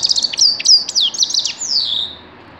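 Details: Grey-crowned goldfinch singing, recorded in 2019: a fast, high, tinkling twitter of chirps and slurred whistles, ending in a long descending buzzy note that fades out.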